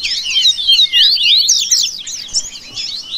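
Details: Rusty-collared seedeater song played to warm up and train a caged bird; loud, fast, continuous twittering of rapid sliding notes with no pauses.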